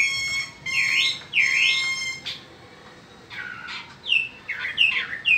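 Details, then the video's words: Spring song of a peninsular mockingbird: two loud, repeated wavering whistled phrases, then a pause and a run of quick, rising and falling chirpy notes of varied shape. "Hermoso Cenzontle Peninsular en Primavera."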